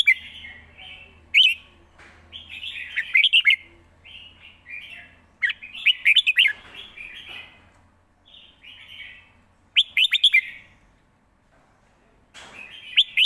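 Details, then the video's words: Red-whiskered bulbul in a cage, live song with fast, well-phrased delivery: bright warbled phrases interrupted by crisp clicking bursts, with short pauses between groups of notes. "สด ริก"สับไว สำนวนดี#เสียงนกกรงหัวจุก"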